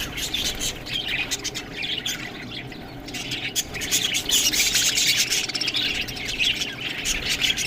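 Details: Budgies eating green food chatter in rapid, irregular high chirps and squawky notes that grow louder in the second half, with clicking sounds throughout.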